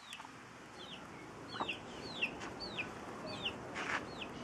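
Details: Chicks with a hen that guards them while they eat together; clear, shrill peeps, each sweeping downward, repeat roughly twice a second, loud and close over quiet ground noise.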